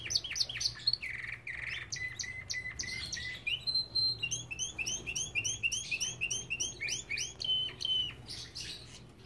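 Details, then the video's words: Belgian canaries kept in an aviary, singing a varied song of rapid trills, buzzy rolls and clear whistled notes, phrases shifting every second or two, with a steady low hum behind. "Lindos cantos de canários!"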